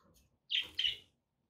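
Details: Two quick, sharp, high chirps from a pet budgerigar, close together, in a quiet room.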